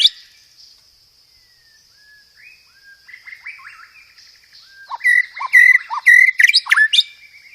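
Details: A murai batu, the white-rumped shama, begins softly with thin, quiet whistles, then breaks into loud, clear, rapid chattering 'roll tembak' phrases mixed with fighting-sparrow (gereja tarung) elements.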